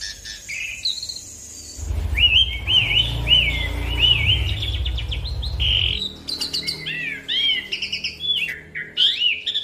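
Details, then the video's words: Repeated looping whistled phrases from an Asian pied starling over a low rumble, then quicker varied whistles and chatter. The song is a lure meant to get other birds singing fast. "Jalak Suren gacor Ngeroll Panjang Pancingan Dan Masteran Jalak Suren Bikin Cepat Bunyi"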